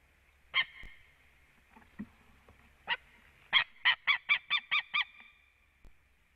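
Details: Male white-tailed eagle at a Latvian nest, sitting on the left branch and calling the female in around 18:14 on 4 March 2017. A few separate yelps are followed by a rapid run of about seven shrill, barking notes.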